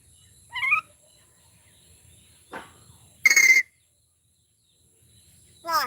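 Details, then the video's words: Common myna mimicking human speech in Bodo: a falling, harmonic-rich syllable, then a softer buzzy note, a loud noisy burst with a thin whistle, and a final rising-and-falling harmonic syllable, separated by quiet gaps. "Maina Bird - The First Human to Talk in Bodo Language!"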